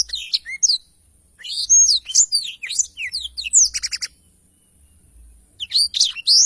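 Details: Lively black-throated canary in long rolling song for tutoring birds: bursts of sweet whistled slurs and chattering trills, a gap of silence near the middle, then the song resumes strongly.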